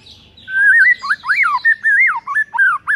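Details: White-rumped shama song used in the morning to provoke a rival into singing: one loud, continuous phrase of rich, looping whistles that swoop up and down, with quick warbled turns and no pause.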